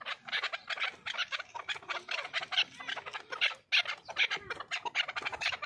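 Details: Chukar partridge in a dense, continuous stream of harsh clucking notes, rapid and insistent, with a brief pause near the middle before resuming.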